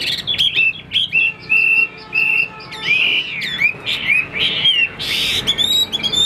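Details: Chinese hwamei in a cage, a fighting bird noted for wing-spreading display, sings clear sustained whistles broken by short bursts, then swooping slurred phrases and a bright high flourish near the end.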